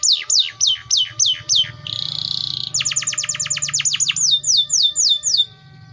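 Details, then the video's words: Atlantic canary sings a run of sweeping downslurred notes, then a buzzy trill, a very fast rattling series of short notes, and slower swooping whistles before it stops; a low hum runs underneath. "THE VOICE OF THE CANARIA SERINUS BIRD"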